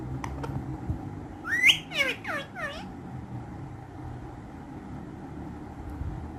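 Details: A pair of soft clicks, then pet green ringneck parrots give a loud rising harsh screech followed by three wavering downslurred calls, before the room falls quiet.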